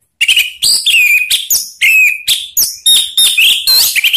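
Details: Orange-headed thrush calls used to prompt other birds to sing: loud, clear whistled notes with sharp downward and upward slurs, delivered in rapid bursts roughly every quarter to half second, strong high overtones, no background sound.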